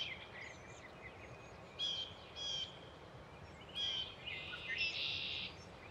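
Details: A nesting male and female pair of Tree swallows at Patuxent Research Refuge, Laurel, Maryland, on 14 April 2024, giving bright liquid chirps and gurgling twitters in short bursts about every second, over a steady soft outdoor hiss.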